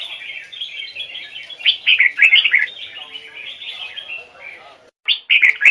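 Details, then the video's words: Red-whiskered bulbul singing a standard-voice, double-note song in the Hoài Sơn forest style, used for bird training: loud bursts of rich, warbled notes over a steady background chatter of softer chirps, pausing briefly before a final loud phrase. "Chào mào hót giọng chuẩn, âm kép rừng Hoài Sơn"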